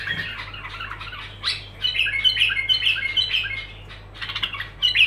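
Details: Bulbul in continuous song, delivering bright fluttering notes and sharp whistled slurs in dense runs, with a quiet gap before the phrases resume, over a constant low electrical hum.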